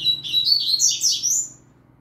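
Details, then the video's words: Young yellow-bellied seedeater singing with a green-winged saltator nearby, a fast, continuous run of high, sweet warbled and twittered notes that rise and fall for about a second and a half before stopping. "Papacapim Novato Cantando Com Trinca Ferro Relâmpago!!!"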